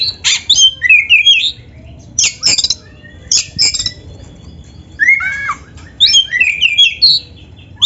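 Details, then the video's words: Kept black-breasted magpie-robin delivering a rich song packed with canary-like insertions: short clusters of scratchy, high, buzzy notes separated by pauses, with downward-slurred whistles and twittering runs near the end. "MASTERAN KACER GACOR FULL ISIAN MEWAH KENARI⁉️ || BURUNG KACER DADA HITAM COCOK buat PANCINGAN‼️"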